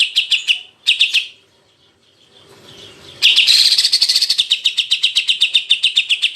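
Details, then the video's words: Greater green leafbird on a tutor recording for the jantrok singing style: two short bursts of quick buzzy notes, a faint murmuring gap, then a loud, sustained run of rapid high chips that rises slightly at its start. "CUCAK IJO Auto JANTROK denger Suara Masteran ini"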